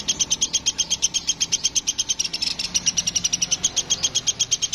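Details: Busy woodpecker known as platuk sampit, giving a quick, even run of piercing high notes, roughly eight a second, with a faint background hiss.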